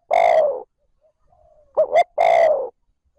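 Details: Spotted dove calling trơn ròng as a lure for wild doves: a long, husky, falling coo, a pause with faint soft murmuring, then two brief rising notes and another long coo.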